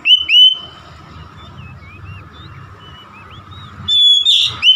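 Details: Oriental magpie-robin song: one loud whistled note opens, then soft, scattered warbled notes over a faint background hiss, closing with a loud, bright whistle and a harsh burst.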